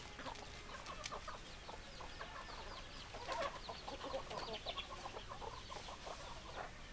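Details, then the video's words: Chickens clucking in a low, rough series of short pulses spread irregularly through the clip, with a denser burst near the middle; thin, high chirps from other birds sound throughout over a steady background hiss. "Chicken Sounds Noises Hens Clucking Roosters Crowing"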